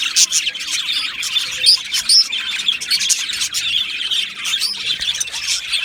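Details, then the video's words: Aviary colony of budgies recorded 12 July 2025, a thick chorus of high chirps, trills and short whistles from many birds, with a few louder sharp tweets at the start. "Australian Budgie Chirping Sounds"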